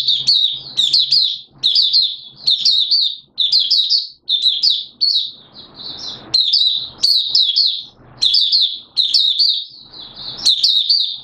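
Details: Oriental white-eye from Malaysia, known as mata puteh, singing in Singapore on a warm humid day with sudden showers, 29 March 2023; steady high chirping phrases in quick clusters, repeated about every second, faint low hum beneath.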